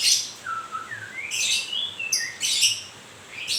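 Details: White-rumped shama in fresh moult, called murai grewek: drawn-out falling whistles lead into rising slurred notes and dense rasping bursts, sound running almost continuously.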